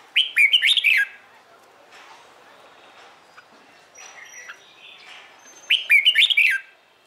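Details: Red-whiskered bulbul morning song, played to push other bulbuls into singing; two energetic warbled phrases roughly five seconds apart, with quieter chirps from other birds in between.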